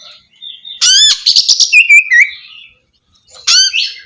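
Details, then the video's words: Oriental magpie-robin song used to stimulate a bird that no longer sings. A burst of bright upswept notes and rapid chattering trills, then a short pause before another loud rising whistle. "suara terapi kacer macet bunyi"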